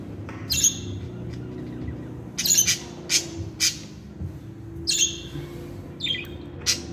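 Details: Pet budgie song of separated sharp, piercing high chirps and squawks, some in quick doubles, with short pauses between. A low steady hum sounds in the background.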